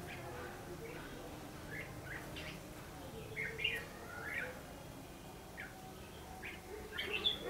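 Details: Red-whiskered bulbul in a trapping session using a fighting-song lure: scattered short whistled phrases around mid-high pitch, spaced irregularly over steady background noise.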